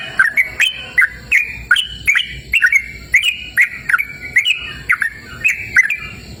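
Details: Yellow-vented bulbul singing in a cool, open natural setting, a continuous lively chatter of sharp chirps and rising and falling slurred whistles, repeated rapidly throughout, with faint steady high tones behind.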